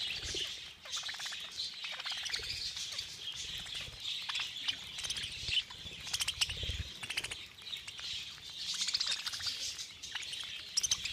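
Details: A mass of budgerigars at a feeding frenzy: dense high chattering punctuated by bursts of rapid clicking chirps and wing flutters, continuous across the whole stretch.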